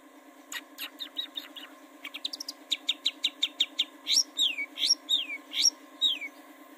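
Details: Long-tailed shrike singing, used as a lure to make birds sing: quick staccato chirps in short runs, then a string of loud downslurred whistled notes, backed by a constant low electrical hum.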